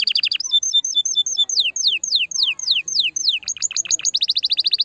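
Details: Singing canary, song meant to encourage a female to mate: short rapid trill, then flat whistled pairs, a run of loud downward-swooping whistles, and a closing fast trill.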